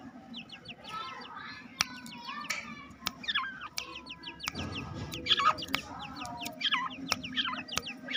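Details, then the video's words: Black francolin chicks, two months old, calling contentedly after release into a home aviary: crowded, quick descending peeps that come in clusters, with scattered hard clicks and a low murmur. "Two Months old Irani Teetar Chicks Voice Full Video Happy Due To Open In Home My Birds Aviary"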